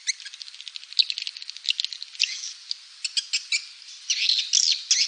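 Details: Swiftlet calling sound used to draw birds into a nesting house: rapid clicking ticks and high twitters interspersed with short buzzy chirps, uneven in rhythm and all high-pitched.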